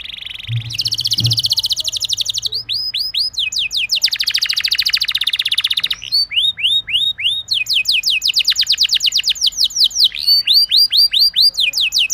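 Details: Canary song played to prompt other canaries to sing: loud, fast rolling trills and repeated downward-sweeping whistled notes, switching between buzzy tours and rapid chirped series, continuous throughout.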